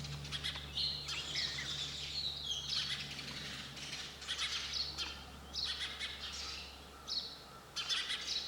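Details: Sparrow chirping in bright, high bursts with a few drawn-out twitters, over a continuous low hum.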